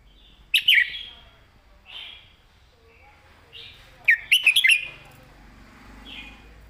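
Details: Clear training song of a caged red-whiskered bulbul in the southern Thai style: a bright double whistle, softer answering notes spaced about a second apart, then a quick rolling run of four or five whistles and quiet fading calls.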